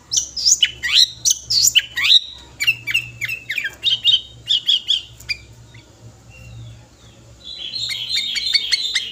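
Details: A sooty-headed bulbul, five years old, in full-material song for calling other birds: looping upslurred whistles and repeated clipped notes, then a quieter gap and a closing burst of fast high notes.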